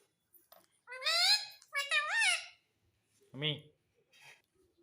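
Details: Talking Indian ringneck parakeet imitating mummy and papa: two drawn-out, warbling, squeaky word-like phrases with rising and falling pitch, followed by a short deep human utterance and a faint murmur.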